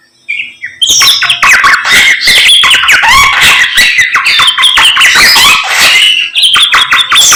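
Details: Samyong singing vigorously at dawn: after a brief quiet start, a continuous torrent of rapid chattering, squeaks and whistles that keeps going almost without pause.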